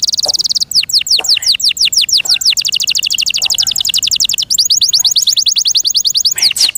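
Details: Caged canary sings loudly and continuously: a dense high trill gives way to repeated downward-swept notes and rapid rolling chirps, varied and energetic throughout.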